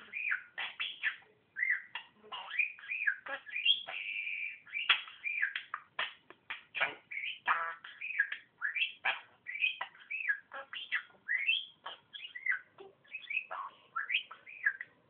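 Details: Pet budgerigar mimicking human speech, saying "Merry Christmas" in Czech amid rapid, scratchy warbles.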